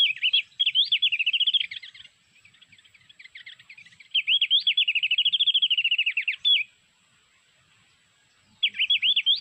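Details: Sulawesi mountain white-eye call, played from MP3 to lure birds onto lime sticks: fast high warbling trills repeated in long bursts separated by quieter twittering and a short pause.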